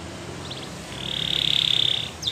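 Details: A Belgian canary holds a sustained, evenly pulsed buzzy roll for about a second after a few faint high notes, over steady background hiss.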